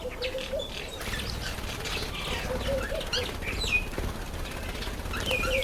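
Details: A party of ten red-faced mousebirds in a birdbath give short, high whistled notes and scattered chirps over a low rumble, with wing flutters and splashing throughout.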